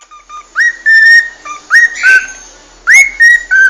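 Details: Cockatiel whistling loudly, with rising slurred notes that lead into held tones. Three phrases, one with a brief raspy burst.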